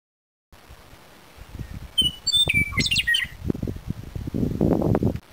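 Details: A Western meadowlark at the Indian Memorial, Little Bighorn National Monument, gives one brief song: a few clear, high whistles tumbling into a quick, gurgling warble, over steady wind and rustling noise.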